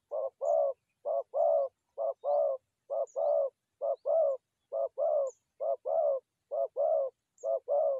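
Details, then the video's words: Forest dove call for trapping, delivered as a very regular run of paired coos, short then long, about once per second, clean and uninterrupted throughout. "Good Trap Forest Doves"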